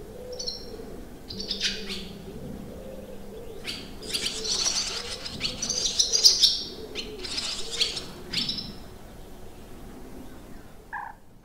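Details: Barn swallows around a campsite in the Limousin countryside, France, on 25 June 2023, with a busy stream of high twitters and buzzy chatter, peaking midway, over a low steady hum and a faint lower note near the end.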